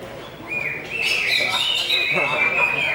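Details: Greater green leafbird singing a run of clear, high whistles: a short rising note, then long level and slightly wavering tones joined together. Voices murmur quietly in the background.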